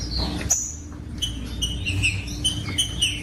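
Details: Green-winged saltator song meant to get other saltators singing: a high slurred note, a brief gap, then a run of steady whistled notes and downward slurs at a lively pace over a faint low hum.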